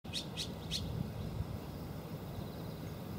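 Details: Azure-winged magpie calling: three quick harsh rasping notes in the first second, then background noise with low rumble.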